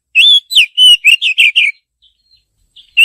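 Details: Rapid run of seven loud whistled chirps from a female Oriental magpie-robin calling the male, about two notes per second, then near silence broken by faint notes and one last chirp.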